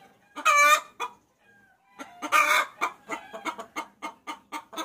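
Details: Hen calling a rooster: two strident, drawn-out squawks separated by a quiet gap, followed by a quickening run of short clucks.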